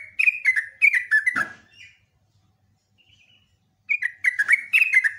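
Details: Sooty-headed bulbul in long lure song; rapid chattering phrases of slurred, falling notes, a pause of near silence, then another run of bright repeated notes.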